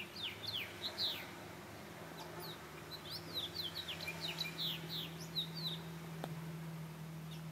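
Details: A house finch singing at a patio gives a rambling warble of quick, bright, down-slurred notes that tumble on without pause, over a steady low mechanical hum.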